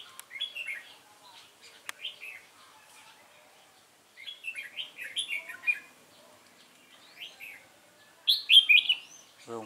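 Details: Wild-caught red-whiskered bulbul in a cage giving its competition fighting song: clusters of lively warbled whistles in short phrases, separated by pauses, ending with a louder burst and a brief low thump.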